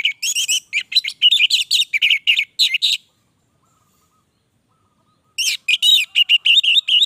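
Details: Anis merah, the orange-headed thrush, delivering long gacor song: about three seconds of tumbling, varied whistles and chirps at a brisk pace, a quiet gap, then the rich outpouring resumes.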